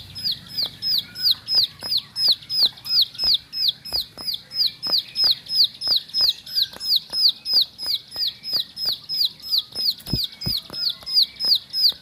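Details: Bar-winged prinia kept as a house bird, singing in the ngebren style: one sharp, high chirp repeated steadily about three times a second throughout, with only a faint low hum behind it.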